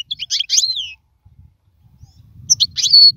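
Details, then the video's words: European goldfinch singing, song meant for training young birds: two short bursts of twittering high notes, the first ending in a downslurred whistle, the second with a sharp rising whistle, a quiet gap between and faint low rumble. "افضل تغريد لتعليم الفراخ"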